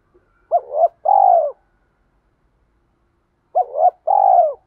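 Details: Spotted dove coos for training birds to coo: a paired phrase of a short rising note and a longer falling hoarse coo, repeated after about three seconds.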